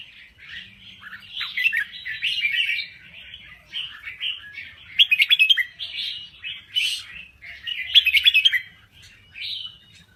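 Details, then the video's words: Red-whiskered bulbul of the Thai type singing vigorously: lively, chattering warbled phrases in short bursts, some with rapid trilled notes near seconds seven and eight, with brief pauses between phrases. "Kicau Burung Merbah Jambul Gacor"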